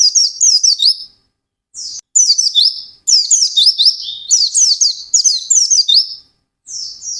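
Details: Fast 'ngalas' singing by an intensely vocal white-eye: short bursts of shrill, tumbling twitters and whistles, repeated with small silent breaks between phrases.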